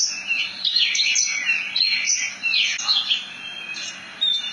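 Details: Javan bush lark, locally branjangan, in continuous rolling song: dense run of high chirps, slurred whistles and rapid buzzy trills with brief pauses.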